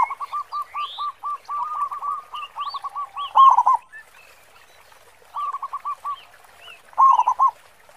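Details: Local zebra dove in full voice with a big, deep 'khong' sound, meant to lure other doves into singing: runs of short, hooked cooing notes in rapid series, broken by pauses, with faint higher whistles of other birds behind.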